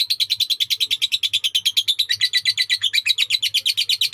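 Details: Lovebird singing in the long-duration sakera style from Indonesia: a continuous, rapid, shrill chattering trill of high, sharp chirps, about seven per second, steady throughout with no pauses.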